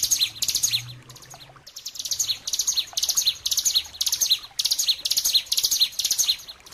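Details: Bar-winged prinia, known locally as ciblek gunung, singing a loud master song for training songbirds: high, fast chirping phrases in rhythmic bursts, each a cluster of sharp downward notes, with a brief pause near the second mark.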